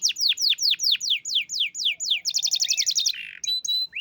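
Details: Contest-winning canary singing loud, high downward-sweeping whistled notes in a steady series, then a quick buzzy rattle and short rising whistles, a varied rolling song with no other sounds.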